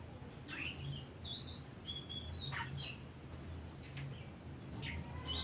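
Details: Lure song of an Oriental magpie-robin to stir other birds: sparse, fairly quiet whistles and short chips spread across the clip, with a strong low hum underneath.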